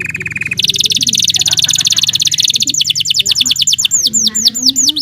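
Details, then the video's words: Belgian canary singing for canary song training: an opening high steady whistle, then a dense buzzy trill and slower downward-sweeping notes, with a low background murmur underneath. "Belgian canary singing makes your canary sing"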